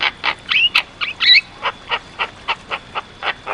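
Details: Javan myna singing energetically, used as a tutor recording: a regular series of harsh, scratchy chuck notes about every quarter second, broken early on by a few clear twisting whistles, over a faint steady high whine.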